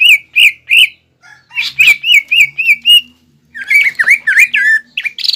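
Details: Fighting-style green leafbird song, packed with mimicry of sparrows, ciblek and other birds: pairs and runs of rich whistled notes, then harsh chattering slurred phrases, with faint low background tones.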